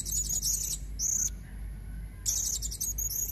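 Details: A female blue-crowned hanging parrot gives high, squeaky trilling calls to lure males, in three bursts with a silent pause in the middle.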